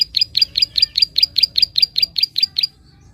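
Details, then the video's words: Prinia (prenjak), used to stimulate untrained young birds, giving a lively clicking call: sharp high clicks repeated about two and a half times per second in a steady run, then stopping, with low background rumble. "Prenjak Klik gacor ampuh merangsang burung bahan"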